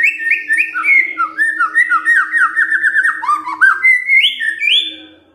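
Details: White-rumped shama giving a fighter-style kretekan, meant to make silent shamas answer within seconds: a 5-second run of loud whistled, slurred notes that step down from high to mid pitch and then leap back up, over a steady low hum.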